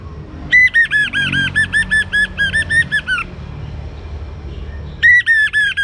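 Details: An orange-headed thrush, young and singing well, is played to get other birds singing. A long even run of about twelve repeated, rich, lower-pitched whistled notes is followed after a gap by a second, similar run.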